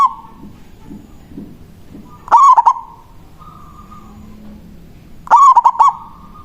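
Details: Loud local zebra dove giving its manggung song to call a rival. Two quick, choppy phrases of clipped throaty coos roughly three seconds apart, with faint low murmurs in the quiet between them.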